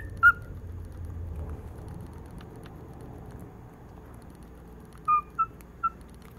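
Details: A cockatiel singing in the morning gives a few short, clear whistled notes, separated by long quiet gaps.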